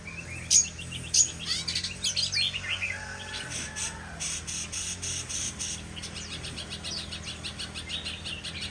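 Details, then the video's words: Shama song with clear rising and falling whistles at first, then a run of quick, sharp repeated chips and trills, all high-pitched, a quiet hum in the background. "Beautiful Shama Bird"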